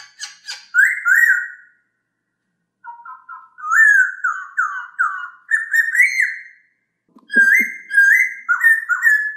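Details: Song of a masked laughingthrush, known locally as poksay hongkong, used to stimulate silent or stressed kept birds: strong whistled phrases, some wavering and stepped, with a couple of low clicks near the end.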